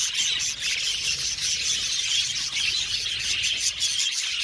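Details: Budgerigars chirping as a colony in an aviary, an unbroken bright chatter of squeaky, overlapping calls with short thin whistles mixed in.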